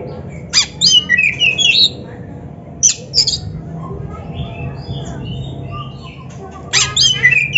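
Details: Kacer (Oriental magpie-robin) gacor singing used as a master recording for training kept birds; a few short bursts of sweeping whistles and harsh chatter separated by long pauses over a low background hum.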